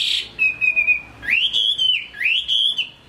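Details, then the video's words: Singing caged Chinese hwamei from Hai Phong, Vietnam: a long level whistle followed by two loud upslurred whistles that climb and waver before dropping, pure and ringing. "Họa mi hót tốt"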